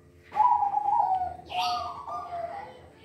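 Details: Silver zebra dove kept in a cage, singing loudly: a steady mellow coo held for about a second, then a brief noisy burst and a second, softer wavering coo.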